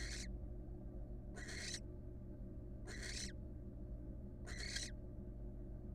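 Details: Barn owl, wild female, entering and resting in a nest box; four raspy, breathy screech bursts at uneven intervals, with a faint low hum underneath.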